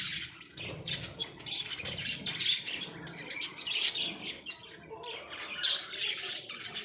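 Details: Several pet Australian budgies in a small cage chatter continuously with dense, high, twittering chirps and scratchy squawks that rise and fall in loudness throughout.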